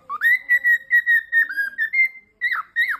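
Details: Cockatiel kept as a pet, singing during a game of peek-a-boo: a rising whistle opens a string of even, clear whistled notes, then a gap and two swooping, falling whistles.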